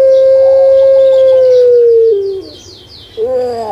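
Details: A kept Indonesian puter pelung dove gives a long level hoot that slowly sinks and then drops, followed by a quiet gap and a new rising note. Faint high twittering from other birds sounds in the background.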